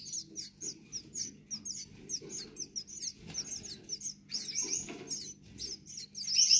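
Gouldian finch chicks give thin, very high squeaky chirps in quick overlapping bursts, several voices at once, over a faint low hum.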